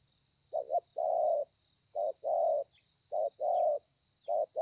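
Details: Spotted dove in thổ pha song style, a wild-caught bird, 30/11/2020: a quick double coo followed by a long rough coo, the phrase repeated three times, with a continuous shrill hiss behind.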